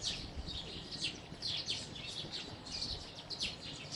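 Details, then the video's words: House sparrow chatter made of rapid, sharp chirps, some dropping quickly in pitch, packed closely together by several birds over a constant low hiss. "House Sparrow Chirping | Sparrow Chirping Sounds"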